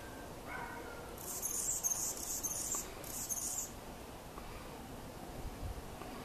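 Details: Male Anna's hummingbird mating dive display in spring: two bursts of thin, very high, scratchy buzzing, the first about a second and a half long, then a shorter one, over quiet background hiss.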